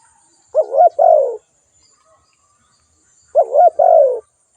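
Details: Two low, mellow spotted dove calls nearly three seconds apart, each a quick quavering coo then a sustained coo that drops slightly in pitch, in near silence.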